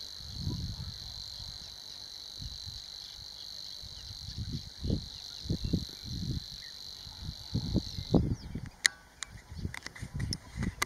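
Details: Savi's warbler, nominate race, in song at Vadu in Romania's Dobrogea during May: a long, even, buzzing reel lasting about eight seconds before cutting off, followed by sharp clicks, with low gusty wind noise throughout.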